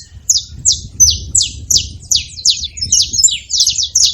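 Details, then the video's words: At a feeder, a saffron finch repeats bright, high chirps that drop in pitch, nearly three each second, growing quicker toward the end, with soft low noise behind. "Canário da terra fazendo barulho na seva"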